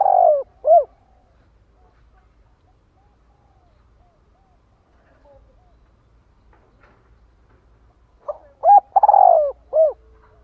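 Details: Spotted dove luring call for attracting wild doves and stimulating decoys: the end of one phrase, purr and arched coo, then several seconds of quiet before a full phrase of short note, coo, rolling purr and closing coo.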